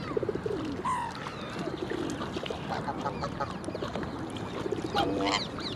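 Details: Black swan on the Round Pond giving its usual 'ee-oh' contact call, then low tuba-like honks of defiance at other birds in its way: soft bugling calls at intervals, a higher wavering note near the end, other waterbird calls behind.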